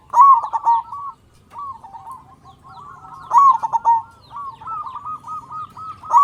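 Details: Local Indonesian zebra dove singing with a big, vigorous voice, used as a lure to get other zebra doves calling. Rolling strings of short, clipped coos at a steady mid pitch, in bursts separated by brief pauses, with a louder burst near three seconds.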